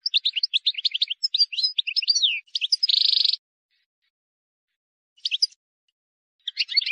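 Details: Wild European goldfinch singing for tutoring young birds: a rapid tumbling sequence of tinkling, slurred notes finished by a harsh buzzy trill, then a pause and a couple of short chirpy fragments.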